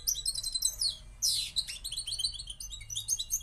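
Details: Moroccan goldfinch song: rapid liquid twittering with a loud, rasping downward sweep about a third of the way in, followed by bright repeated chirps. A low background hum is present.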